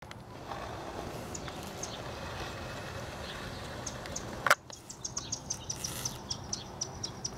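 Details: Verdin, one of a pair in a palo verde tree in a front yard in Phoenix, Arizona, on a February morning in 2014: a series of faint, sharp high chips repeated about twice a second after a loud knock, over steady low traffic rumble.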